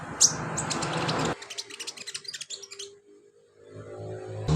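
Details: [['Sunbird song used as filler material for training cage birds: thin, very high chirps at first over heavy low rumbling background noise, then scattered sharp high ticks and short squeaky notes in a quieter stretch.']]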